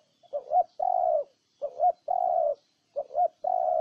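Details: Cooing spotted dove, Ninh Thuận, Vietnam: three clear phrases, each a short two-part note rising at the end, then a sustained steady coo, repeating roughly every 1.3 seconds.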